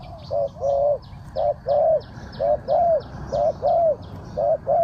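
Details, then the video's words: Decoy spotted dove calling wild birds down, in the Thai three-kuk style: loud, steady phrases of a short coo followed by a longer, arching, throaty coo, repeated about once a second, with soft high ticking chirps behind. "เสียงนกเขาใหญ่ 3กุกห้อย เรียกลงกุก2กุก"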